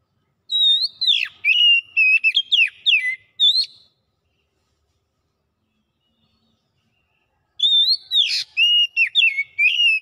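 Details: Oriental magpie-robin song: two bursts of loud, varied whistled phrases, each about three seconds long, with sweeping and falling notes and sharp chips, separated by several seconds of silence.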